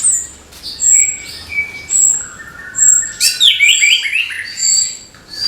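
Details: Morning singing by an orange-headed thrush, meant to stir young thrushes to sing: spaced clear high whistles at first, then a fast cascade of descending slurred notes and warbles.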